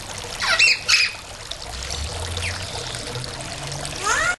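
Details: Corkie, a yellow-collared miniature macaw enjoying time outside in Magalia–Paradise, California, on July 2, 2009, gives two harsh, raspy squawks close together, then quieter chatter and a rising squeak; water trickles throughout.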